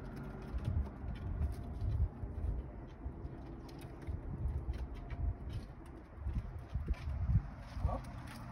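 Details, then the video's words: Japanese pigeon cooing softly; low, muffled coos recur through the recording over a steady background of rustling and faint noise. "Japanese Pigeon sounds"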